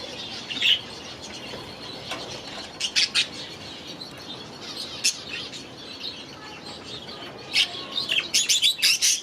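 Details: Young budgerigars from last year's brood, newly released into a new aviary: scattered short, high chirps in brief bursts separated by quiet stretches, with a cluster of rapid chirps near the end.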